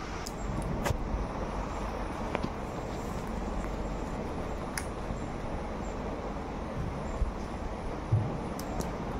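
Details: Steady low road traffic rumble with a few brief sharp clicks and knocks; no animal voice stands out.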